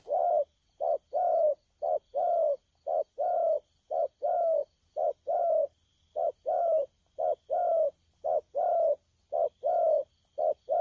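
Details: Wild-caught spotted dove cooing in thổ pha style, recorded 12 October 2019: an even run of roughly twenty low, rounded coos, alternating short and longer notes, almost one per second.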